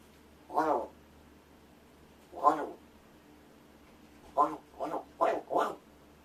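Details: Pretend-sleeping owner prompts a rescued Large-billed crow to practise calls and speech indoors. Two spaced hoarse calls are followed by a quick run of four shorter rough notes toward the end.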